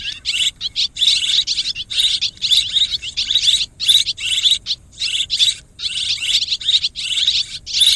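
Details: Mixed swiftlet calls: rapid, high, rattling chirps grouped into short bursts, repeated roughly every half second to second, a steady chattering stream with brief silent breaks and no other clear sounds.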